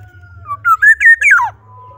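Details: Black-naped oriole singing one complete fluty phrase: a thin lead note, then four loud mellow whistled syllables rising in pitch before a sharp falling slur, over a faint low hum.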